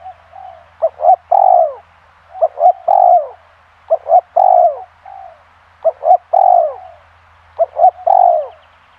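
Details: Spotted dove (tekukur), a pikat lure bird, cooing in five regular phrases about every 1.8 seconds, each two short notes and a loud drawn-out falling coo, followed by a softer trailing note; a low steady hum underneath.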